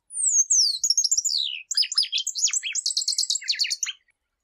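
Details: Shiny cowbird (Molothrus bonariensis), song.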